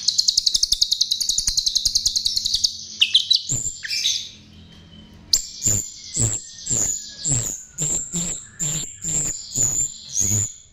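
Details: Lure song of a chestnut-tailed starling. It opens with a rapid, even trill of about three seconds and a few squeaky twitters. After a short pause comes a steady series of harsh chattering notes, roughly two per second, each with a high whistled edge.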